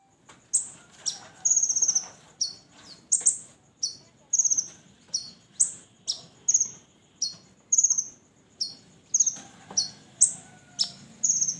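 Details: Red-breasted sunbird song, used as a lure to prompt other birds to sing: very high, sharp, slightly falling chirps, some doubled, repeated about every half to one second against a quiet background.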